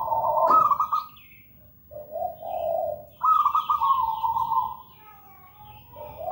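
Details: Zebra dove, local bird in eager song: a trilled coo, a low purring note, then a long bubbling phrase sliding downward, with a faint higher twittering behind.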